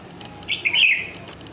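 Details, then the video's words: Bulbul calling while perched: a single bubbly, warbled phrase lasting about half a second, with slurred up-and-down liquid notes, over a quiet background. "perching and Calling Bulbul"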